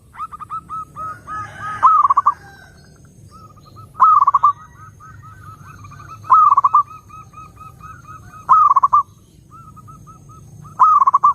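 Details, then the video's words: Song of a zebra dove used as a lure for other doves: five loud rattling, stuttered bursts about two seconds apart, each followed by a trailing row of soft short notes. "SUARA BURUNG PERKUTUT _JERNIH_💯AMPUH_SEKALI PUTAR SEMUA PERKUTUT LANGSUNG NYAMBER"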